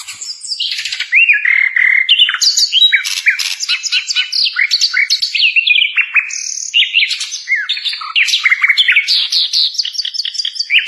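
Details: Unbroken Sikatan londo flycatcher song for tutoring other songbirds: a dense, rapid jumble of high chirps, slurred whistles and trills running through the whole stretch.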